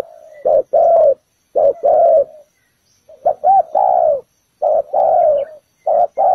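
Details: Spotted dove used as trap bait, cooing in spaced bursts: soft lead-in murmurs, then short and long deep coo notes in pairs, with a clear pause midway.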